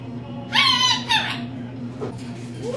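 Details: Talking pet rainbow lorikeet, female, mimicking words indoors: two loud, high, buzzy syllables in quick succession, then near quiet with faint murmurs over a low hum.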